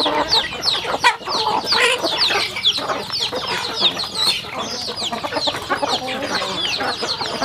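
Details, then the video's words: Rural home chickens feeding in a crowded chorus of bright, high, falling peeps packed closely together, with sharp pecking clicks and a brief pause in the middle. "Yummy sounds chicken eating"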